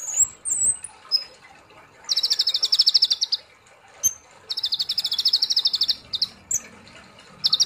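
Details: Olive-backed sunbird (kolibri ninja) in lively 'gacor ngobra nembak' singing style, used as training audio for kept birds: high thin whistles, then long buzzy rapid trills held on one high pitch, repeated in bursts.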